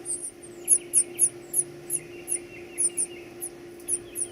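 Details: Fed baby birds give quick, thin, downward-flicking high peeps in a spaced series, with softer lower chirps between them and a constant faint hum.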